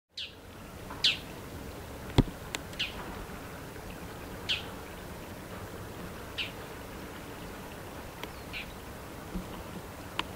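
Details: A female Bull-headed Shrike calling from a power line in autumn (7 October 2020) at lotus fields in Iwakuni, Japan. It gives harsh "gyan! gyan!" high-pitched notes every second or two, with scattered clicks over a low background rumble.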